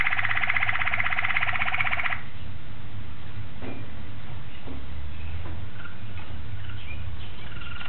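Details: A Malinois Waterslager canary sings, recorded on 26 October 2012. Its song opens with a rapid, bubbling, evenly pulsed passage of several stacked tones lasting about two seconds, followed by quieter scattered notes over a low background hum.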